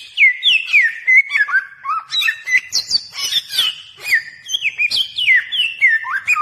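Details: Lure song of the bare-throated whistler from Nusa Tenggara, Indonesia: loud, continuous run of clear whistled slurs, falling then rising, interleaved with high chips and sweeps, delivered in a fast unbroken stream.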